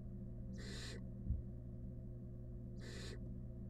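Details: At its nest box with a rat as prey, a wild barn owl gives two rasping hissed screeches, about two seconds apart, with a faint knock between them and a constant low electrical hum beneath.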